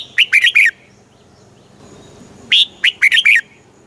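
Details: Red-whiskered bulbul from Thailand singing a southern master-style phrase meant to rouse and train caged bulbuls: two bursts of quick, liquid, slurred whistles, four or five notes each, with a gap of nearly two seconds between them.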